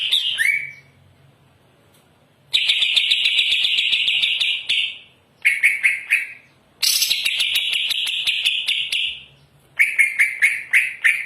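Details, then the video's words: Greater green leafbird singing nonstop and pouring out its repertoire, so loud another leafbird does not join in: long, dense buzzy trills and chattering bursts, high and harsh, some stretching three seconds, separated by short pauses. "cucak ijo gacor muntah materi, ijo lain manat tahan tuk gak ikut gacor."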